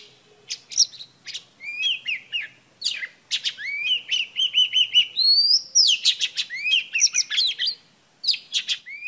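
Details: An Oriental Magpie Robin female sings to excite males: scattered sharp chips, then a run of rapidly repeated short whistles and rising slurs, with brief pauses between phrases.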